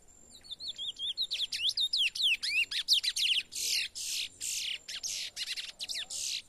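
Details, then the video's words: A young chestnut-bellied seed finch sings in the bush, gradually opening up before training: a continuous run of sweeping whistled notes, later turning into harsher, broad rasping phrases repeated several times a second. "CURIÓ PARDO CANTANDO NO MATO"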